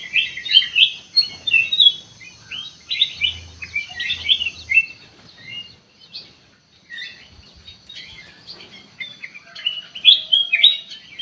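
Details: Ruby-throated bulbul lure song for provoking a response: dense chattering of chirps and warbled notes for several seconds, a quieter stretch with faint low thumps, then another lively burst of bright notes.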